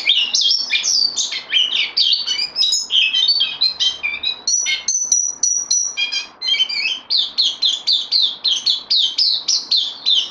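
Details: Caged bulbul newcomer on loan, 12 September 2020, sings mixed twitters and a few thin, level whistles, then settles into a regular string of short repeated bright phrases.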